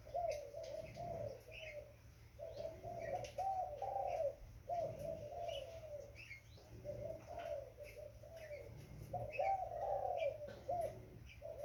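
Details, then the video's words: Young spotted dove making soft, wavering low coos in short phrases about every two seconds, with faint high chirps of other birds and a low background hum. "Burung tekukur Muda"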